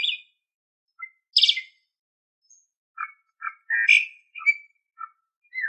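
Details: Tutor recording of Asian pied starling song for pet birds: a harsh rasping burst, then a loose series of short chattering notes and a louder squeaky phrase, separated by silent gaps.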